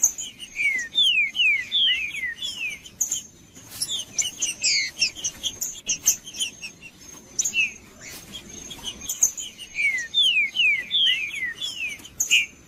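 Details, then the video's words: Green-winged saltator male song used to stir up another male: a series of loud, downward-slurred whistles in quick runs of three to four, broken by stretches of high metallic chips and clicks, and a constant faint high whine. "Trinca-ferro Macheando 🔥 Trinca ferro cantando Para Esquentar Trinca ferro"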